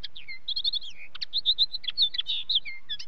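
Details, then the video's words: Common linnet song: dense, lively twittering of sharp high notes and falling whistled slurs, delivered in a quick, uneven stream. "Linnet song"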